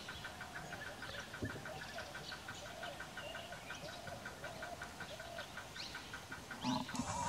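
Lesser whistling ducks in a busy flock give thin, wheezy whistles that overlap almost continuously, over a steady low background hum.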